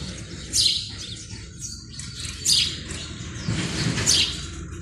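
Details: Male house sparrow calling at a nest box early on a February morning in breeding season to attract females: three bright, harsh chirps spaced about 1.5 seconds apart over a low background rumble.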